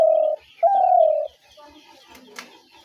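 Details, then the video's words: Spotted dove call of the kind played to lure doves into traps: a short mellow coo, a brief pause, then a longer steady low croon. Faint background chatter follows. "ঘুঘু পাখির ডাক/Dove bird calls/gugu pakir dak/ dove trap sounds"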